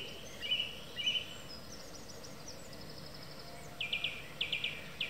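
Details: A song thrush sings in the evening: two clear whistled notes, then a faint high twittering run, followed by a rapid stuttering phrase repeated three times, over quiet background noise.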